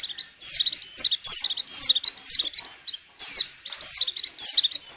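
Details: White-eye female in breeding condition, kept to make males sing for luring: rapid, high, bubbling twitter of slurred chirps in short bursts with brief pauses.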